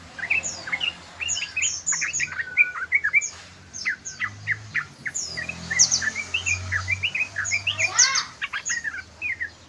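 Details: Trucukan ropel, the yellow-vented bulbul, pouring out a busy stream of quick chirps and slurred notes with high sharp accents, nearly continuous across the recording, low hum in background.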